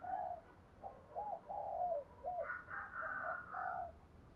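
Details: Spotted dove cooing to stimulate other doves: repeated hollow coo notes against constant background noise, overlapped in the second half by higher twittering from other birds.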